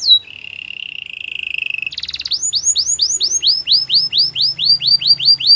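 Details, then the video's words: Canary training song opening with a short high whistle, then a steady buzzy rolling tour held for nearly two seconds, a brief rattle, and a rapid series of clear downward-slurred whistles repeated steadily to the end. "The most popular canary training!! Your belgian canary will sing a lot"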